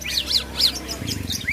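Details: Greater green leafbird (cucak ijo) singing with an imitation of the plaintive cuckoo (kedasih) worked into its song; repeated clear arched whistles that rise and fall, about three per second, with a rising note at the end, over background hiss.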